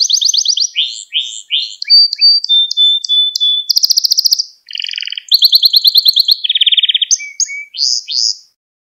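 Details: Canary singing a training song meant for young birds: a varied sequence of buzzy trills, a long flat whistle, rapid rattling tours and repeated chirps, all high-pitched, shifting phrase every second or so, with a brief pause near the end.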